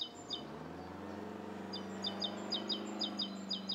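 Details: Rose-coloured starling in Bishopston, Bristol, in the morning of 29 November 2014: short high chirps in pairs and small bunches, repeated irregularly over a steady low hum of traffic.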